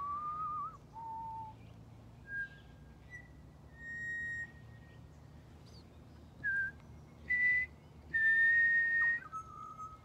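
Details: At Griffith Pioneer Park Museum on World Listening Day 2023, a Pied butcherbird and a person exchange whistled phrases: flute-like notes, mostly steady and level, a wavering opening tone and a long falling glide near the end.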